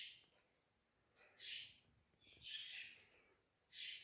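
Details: Rose-ringed parakeet kept as a talking pet, said to speak Urdu and Hindi: three rasping, fairly quiet calls spaced about a second apart, against a soft room hiss.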